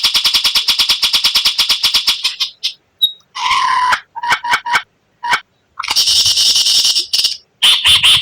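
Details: White-rumped shama in rare 'tembakan' style: a long even series of high ticking notes, then scattered harsh bursts and a buzzy high rattle, with short silences between phrases.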